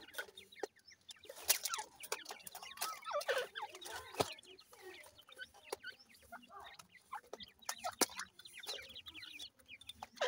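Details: Several grey francolin chicks peep while feeding: dense, rapid high chirps overlapping one another, broken by loud sharp clicks and taps.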